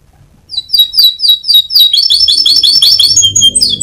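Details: Canary champion used as a master for training other birds: repeated downslurred chirps speeding into a rapid sequence of bright notes, with a faint low hum behind.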